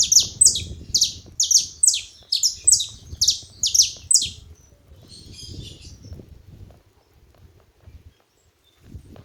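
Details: Group of saffron finches chattering: a run of loud, sharp, falling chirps in quick succession opens, then thins to faint twittering while a low rumbling background continues to the end.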